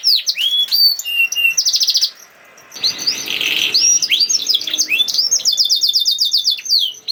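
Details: Canary in 'nembak' song used to stimulate other canaries: rapid trills and chirps, a brief softer buzzy stretch, then dense fast trilled phrases.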